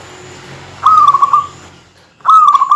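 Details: Local zebra dove singing densely to goad rival males: two rolling trilled phrases, the first longer and gently falling in pitch, the second starting after a brief silence, over a low steady hum.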